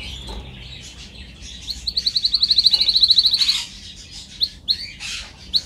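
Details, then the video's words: Singing canary on a training recording: soft twittering, then a long rapid trill of identical high pulses lasting about two seconds, followed by scattered single bright notes. "Canary singing -One Hour of Most Spectacular Video Training - Make Your Canary Singing Like Champion"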